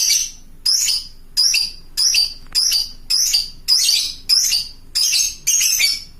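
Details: Lovebird calling to other lovebirds with loud, shrill squawks, about nine harsh, descending cries in six seconds, evenly spaced, each a short burst with a ringing edge.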